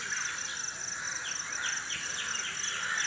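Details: Birds in the early morning around 5 AM, unedited outdoor recording: faint, quick downward-sweeping chirps repeating several times a second over a steady high-pitched hum and background noise.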